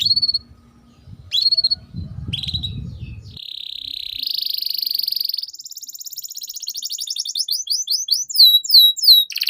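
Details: Canary song used to get young canaries singing: scattered whistled notes over low background noise, a long buzzy trill rising in pitch, then fast repeated downslurred chirps.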